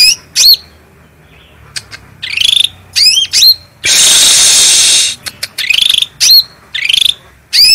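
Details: Cucak rante bulbul on a training master recording, voice clear and strong. Scattered sharp whistled chirps and buzzy phrases, interrupted midway by about a second of loud hissing noise, then more chirps.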